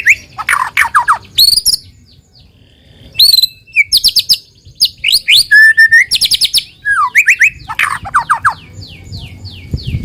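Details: Lure song of a white-rumped shama to prompt other shamas to sing, a rich fast mix of high whistles, downslurred notes, sharp clicks and trills in quick succession.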